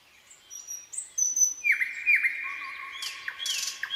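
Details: Nightingale singing high thin whistles, then a loud sustained tone broken by quick dips, closing with a harsh buzzy burst.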